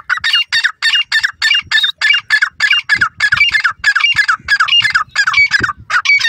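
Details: Grey francolin calling: harsh, ringing multi-note phrases, loud and steady, repeated about every half second through the whole stretch, with faint low thumps beneath.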